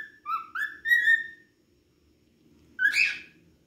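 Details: Cockatiel in full song: three quick rising whistles climbing in pitch, a long silence, then a short, louder, rougher whistled note with harsh overtones.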